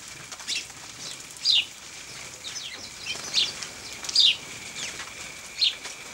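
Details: House sparrows bathing in dust and water at 0 °C on 14 December 2009 give short, high chirps at irregular intervals, about four in six seconds, over soft fluttering and splashing.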